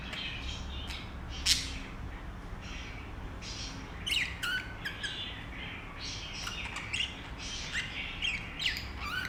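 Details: A young pet budgerigar chirps in short, scratchy bursts with quick upward and downward squeaks.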